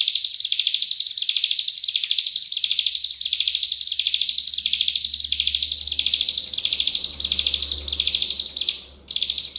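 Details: Continuous rapid 'nembak rapat' cigun song used as a master recording to teach other songbirds: fast, tightly packed high chattering notes, briefly cut off near the end, over a faint low hum.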